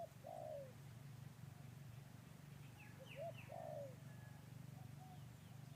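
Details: A new Spotted Dove decoy bird on its first day out gives soft, hollow cooing phrases over a steady low hum.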